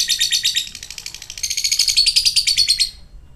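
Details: Lovebird ngekek, a quick burst of rattling, high chattering notes that speeds up slightly and brightens before stopping abruptly after about three seconds.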